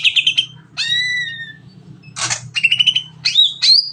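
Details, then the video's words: Greater green leafbird in long 'nembak' song for stimulating other birds to sing: quick chatter, a drawn-out falling whistle, a harsh noisy burst, then short trills and rising whistled notes over a low hum. "CUCAK IJO NEMBAK PANJANG PAS BUAT MERANGSANG BURUNG LAIG AGAR CEPAT BUNYI"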